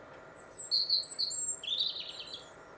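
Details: Wintering European robin in Warwickshire, England, on the Monarch's Way: a phrase of thin high whistled notes, then a bright jumbled trill dropping slightly, against a soft steady background hiss.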